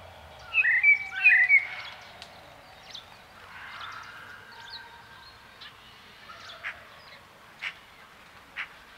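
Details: Two loud, sharp whistled notes from a common blackbird open the recording. Softer scattered clicks and faint chirps follow over quiet surroundings.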